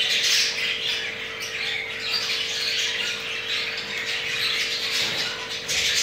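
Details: Crested jumbo male budgerigar mating, the pair having two eggs; continuous harsh squawking and scratchy chatter, loudest at the start and end, with a low electrical hum.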